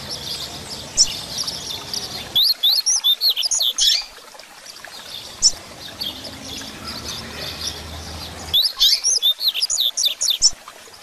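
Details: Caged coleiro singing the Grego song style, used as a tutor to teach and fire up young birds: fast, high, sweeping whistled notes in rapid bursts, with a quieter gap before a second bright run of repeated slurred notes.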